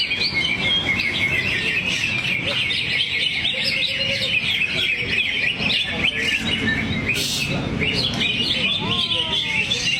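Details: Greater green leafbird releasing its song material while 'teler': rapid, varied high twitters and trills, a sudden louder burst near seven seconds, then a series of short descending whistles near the end, with faint voices behind.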